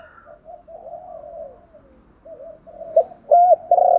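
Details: Spotted dove decoy calling to rouse wild doves; soft, undulating low coos build into loud, arched hooting notes toward the end, delivered in quick succession.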